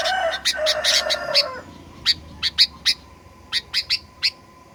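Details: Sooty-headed bulbul lure recording in 'pikat gacor fighter' style, played to make birds sing aggressively: a loud, rich, harsh burst for about a second and a half, then about ten crisp short chirps in quick loose succession over a faint hum.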